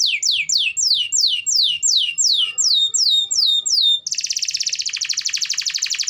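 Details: Canary in full lively song, played to coax a canary that is lazy to sing: a series of slow, sweeping downslurred whistles, then an abrupt switch to a very rapid, buzzy high trill.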